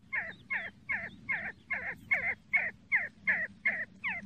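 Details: See-see partridge calling: a steady series of about eleven short, harsh, slightly nasal notes repeated roughly every 0.4 seconds, each with a falling tail, over a low background rumble.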